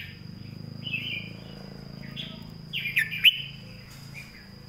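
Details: Tutoring master song of a Red-whiskered bulbul. A few warbled phrases are followed by two sharp accented notes near three seconds, over a noticeable low hum and a thin steady high tone.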